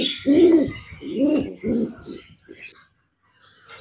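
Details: Pigeons hatching eggs, a kept bird giving three low throaty coos about a second apart, followed by softer faint notes and chirps, then quiet.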